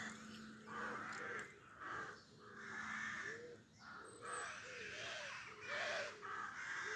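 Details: Dawn chorus at 5am, 25 May 2024, Pulford near Chester, Cheshire, England, where rooks gather in horse chestnut and oak trees: a busy stream of hoarse, grating caws from many birds, repeated without pause over a faint low hum.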